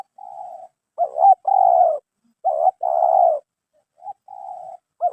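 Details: Spotted dove (terkukur), a newly caught bird whose 'mersik' voice met the keeper's criteria for caging. Mid-pitched, hoarse cooing: short stuttered double notes followed by long rolling coos, with softer level coos in between, in a quiet setting.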